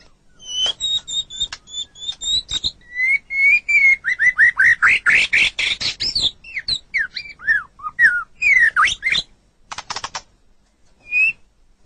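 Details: White-rumped shama song for tutoring caged songbirds: paired high whistles, then a long fast run of rising notes, swooping whistles, a brief pause and a last single whistle.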